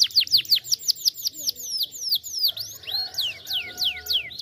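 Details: Canary song used as a lure to get other canaries singing: fast runs of sharp downslurred whistled notes, about three per second, then slower, higher rising-falling sweeps in the second half.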